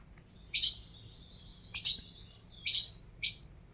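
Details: European goldfinch giving sharp, bright call notes about once a second, some trailing into a short thin buzz, with quiet between them.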